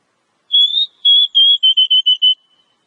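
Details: Oriental magpie-robin in a wild-type lure recording: a run of about eight pure, high whistled notes. The first is long and slightly rising, and the rest are shorter and evenly paced, drifting gently lower.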